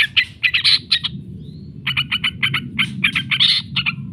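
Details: Yellow-vented bulbul lure recording for training birds, giving loud, rough chattering bursts, a brief pause with one thin whistle, then a steady series of harsh notes over low background noise.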